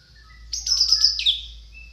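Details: Orange-headed thrush song used as a lure for reluctant singers: a loud burst of rapid, high, slurred notes that drops into a short falling whistle, with faint soft notes before and after.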